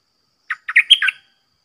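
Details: Caged Red-whiskered bulbul singing continuously in a contest with wild birds, a lone phrase of five chirpy whistled notes in under a second, peaking high mid-phrase, with no other sounds.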